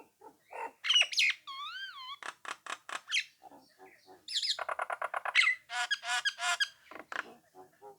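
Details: A Nias hill myna sings to provoke rival birds: sharp squawks, a wavering whistle, rhythmic pulsed notes, then a fast buzzy run and loud rising squeals fading into soft chatter.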